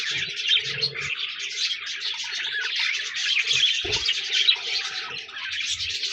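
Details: Budgerigars in a group keep up a steady warbling chatter of scratchy, high chirps, with brief low thuds now and then.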